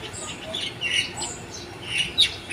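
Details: Morning birdsong with a few high chirps and squeaky notes scattered through a short stretch, fairly soft against light background hiss.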